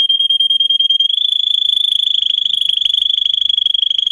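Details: Singing canary used as a training song for other canaries: a long, even, rapid rolling trill on one high pitch, starting with slightly separated pulses and then running on continuously without a break.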